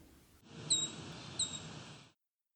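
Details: Brown Creeper recorded July 19, 2019 near Wiarton, Ontario, Canada, pitch-lowered: two brief, thin, high notes about 0.7 seconds apart over a steady background hiss.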